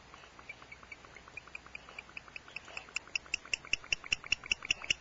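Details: At Starr Ranch, a male barn owl gives quick, high, clicking chirps, about five a second, growing louder toward the end, greeting his mate as she returns home with prey; faint background hiss.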